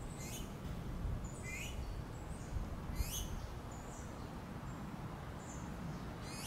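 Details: Finch chicks begging their mother for food: high, thin rising chirps with buzzy edges, scattered irregularly through the clip over a steady low background hum.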